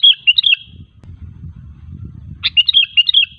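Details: Sooty-headed bulbul song used to lure other bulbuls into singing: two bursts of bright, bubbly warbled notes, the first at the start and the second after a pause of about two seconds, with a low rumbling background between them.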